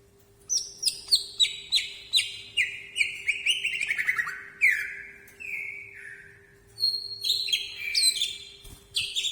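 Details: Sumberlan-style song from a greater green leafbird with wing display: a rapid descending series of repeated bright notes, then slurred whistles, a pause and a fresh high sequence, with a faint constant hum beneath.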